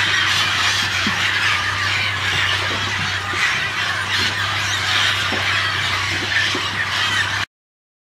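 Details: Parrots and parakeets crowd a clay lick at Napo Wildlife Center in Ecuador, producing a deafening wall of harsh, overlapping screeches and squeals that continues for about seven seconds and then cuts off abruptly.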